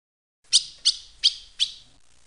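Ultramarine grosbeak giving four short, harsh, high-pitched buzzy notes, spaced about a third of a second apart; nothing else is heard.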